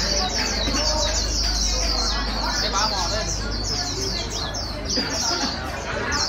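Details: White-eye caught from the wild, being stimulated to sing fast, pours out quick high chirps at roughly three or four per second, uneven in rhythm, above a low, busy background hum.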